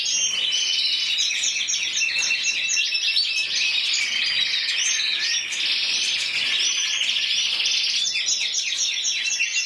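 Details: Championship song of an intense yellow canary, Spain 2014, 94 points individually: nonstop high chattering trills and rolled whistles, phrases shifting every second or two, steady loudness throughout.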